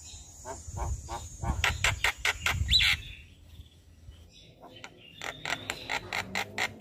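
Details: Javan myna singing energetically in the morning while nodding its head, recorded as a master for training caged birds; harsh clicking notes in a rapid series, a short whistle, then more buzzy bursts over low rumbling background noise.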